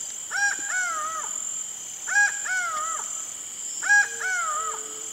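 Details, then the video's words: Laughing falcon (Herpetotheres cachinnans) giving loud, hoarse, harmonic two-part calls, a short note then a longer drawn-out one, repeated about every two seconds; a steady insect hiss runs behind. "O ACAUÃ e seu CANTO MISTERIOSO (HERPETOTHERES CACHINNANS) LAUGHING FALCON"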